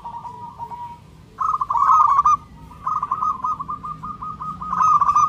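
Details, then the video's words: A zebra dove (local type) calls for a partner: a soft, faint coo leads into a loud rolling phrase, then a run of rapid evenly spaced staccato notes and a final strong fluttering burst; low background hum. "Perkutut lokal gacor suara NYARING dan KERAS"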